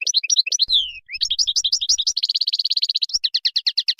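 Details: Moroccan goldfinch in full song: crisp chirps, a sweeping falling whistle, hurried twittering, a long rapid buzzy trill, then evenly spaced bright double notes to the end.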